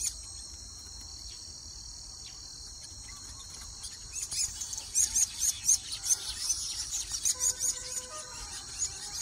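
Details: Baya weaver birds at their nests, possibly in Uganda, give quick, high chirps about twice a second over a steady shrill insect drone that runs throughout.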